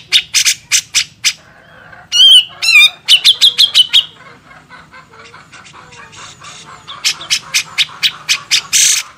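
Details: A grey-cheeked bulbul gives harsh, rasping squawks about twice a second, broken by a short run of high, wavering whistled notes, then more squawks; a tutor recording for training other birds.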